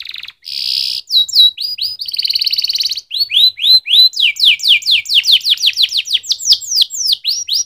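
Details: Singing canary: a harsh buzz, a dense rattling tour, then a long sequence of quick rising whistled notes repeated several times per second.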